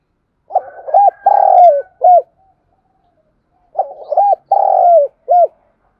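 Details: Spotted dove used as a decoy, cooing to lure wild birds. Two matching phrases about three seconds apart, each made of clipped hollow hoots around one long level coo that sags at its end. Silent between phrases.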